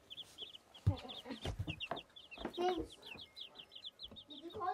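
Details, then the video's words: Baby chicks peeping: a steady stream of short, high, bright cheeps repeated several times a second throughout, with occasional low thumps and clatter in the background. "Tweet! Tweet! Baby Chicks!"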